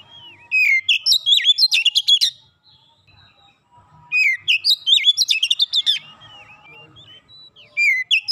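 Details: An Oriental magpie-robin delivers dense 'nembak rapat' phrases. Rising and falling whistles give way to a quick rattle of clipped notes, then silence, then a second long phrase and the start of a third.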